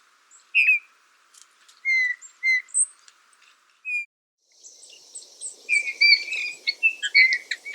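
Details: Eurasian bullfinch giving soft, slightly descending piped whistles at intervals, followed by a denser stretch of higher twittering and mixed whistled notes toward the end.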